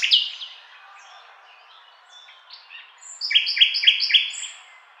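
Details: Nightingale song: a loud opening note, then a quiet pause of soft twitters, then a bright phrase of four evenly spaced, sharp repeated notes about three a second, with a high whistle above.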